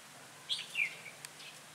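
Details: Red-whiskered bulbul recorded during bird trapping in Bình Phước, Vietnam, on 25 June 2018, giving two quick whistled notes, the second slurring downward. Steady low background hum.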